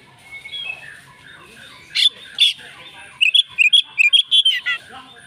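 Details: Fighting Oriental magpie-robin answering a rival: quiet scratchy notes at first, two loud harsh bursts, then a quick string of sharp whistled notes several per second near the end, faint background hiss.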